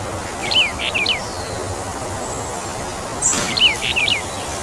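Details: Brown bullfinch of the Taiwan endemic subspecies uchidae, a bird of mid- to high-elevation forest, giving two quick bursts of three thin, high, down-slurred notes about three seconds apart, over a steady background hiss.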